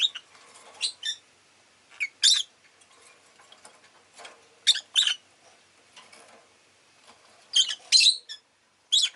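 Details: Pet rosy-faced lovebird giving shrill, harsh chirps in pairs and short clusters, loud at about one, two, five and eight seconds, with soft ticking and rustling between bursts.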